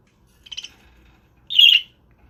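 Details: Two short scratchy budgerigar chirps from a pet bird kept indoors, the second louder and more grating, separated by about a second of silence.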